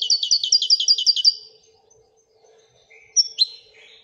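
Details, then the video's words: Royal goldfinch (chardonneret royal) singing: a quick run of about eight bright, metallic twittering notes in the first second and a half, quiet, then two short thin notes; faint low hum beneath. "Le twitter et chardonneret royalتغريد طائر الحسون الملكي"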